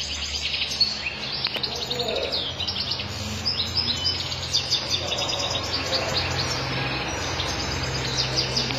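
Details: European goldfinch, sharmar type, in powerful flawless song: a steady stream of thin, high twittering notes and quick trills over a low background hum, lasting the whole passage.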